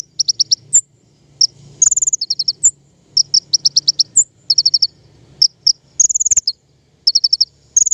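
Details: Lure sound of a king konin for trapping birds: dense high chirping in runs of three to six notes, broken by brief buzzy trills and short pauses.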